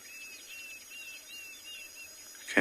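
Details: Morning safari, 23 January 2021, Ngala or Phinda game reserve, South Africa: a distant Diederik cuckoo gives a faint run of high, clear whistled notes, several slurred upward, over soft outdoor hiss ending in a sudden loud bump.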